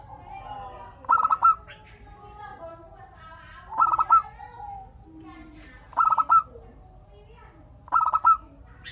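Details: Four evenly spaced bursts of quick, stammering cooing, roughly every two seconds, from a local zebra dove used to get other doves answering; gentle softer coos fill the pauses.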